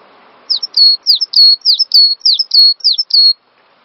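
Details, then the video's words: Cinereous tit master song for stirring songbirds to sing: a single run of about nine loud, high whistled phrases, each a swooping drop then a sustained clear tone, delivered evenly over roughly three seconds before stopping. "Master Burung Gelatik Batu Full Ngisi"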